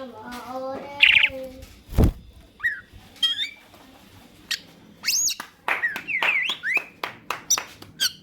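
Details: Green leafbird in energetic song, intended to prompt other birds to sing: low steady tones and a brief trill open, a loud thump follows, then a dense series of high hooked whistles and chips.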